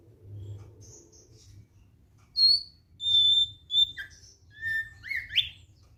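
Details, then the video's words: Thick-billed white-eye, relaxed song of separate clear whistled notes at differing pitches, several level and a few sharply sliding, spaced about a second apart after an opening quiet stretch. "KICAUAN SANTAI OPIOR PARUH TEBAL"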